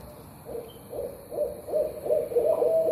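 A barred owl hoots in a quick run of about six deep notes, growing louder and ending in a longer, slurred hoot.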